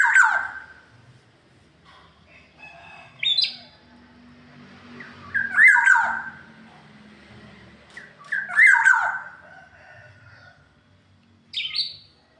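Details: Black-naped oriole, a local Indonesian bird, recorded Saturday 4 April: short loud bursts of fluty whistles mixed with harsh squawky notes, repeated about every two to three seconds over a quiet low hum.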